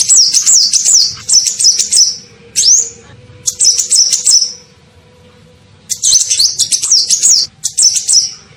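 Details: Sunbird (kolibri ninja) sounds played as a lure call to draw in birds: bursts of high, shrill twittering and a single rising whistled note, then a quiet gap of about a second before further rapid chirp phrases.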